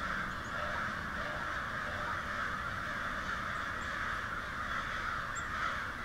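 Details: A large disturbed flock of crows caws harshly and continuously, many overlapping calls merging into a steady roar, with a few ravens mixed in.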